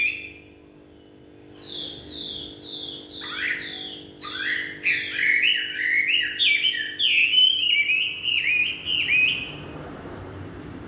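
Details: Chinese hwamei in full evening song: after a short quiet start, rapid varied whistled phrases build in loudness, some notes sweeping down sharply, others repeated in quick bursts, before fading into soft hiss.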